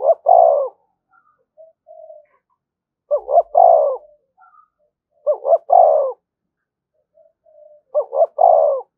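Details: Calling spotted dove used to provoke other doves, giving four repeated phrases of two short notes plus a long, slightly descending throaty coo, with soft murmurs in the gaps.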